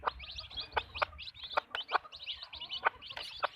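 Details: Backyard farm chickens: short, abrupt hen clucks come every half second or so, under a steady stream of high, thin peeping chirps from other birds in the flock.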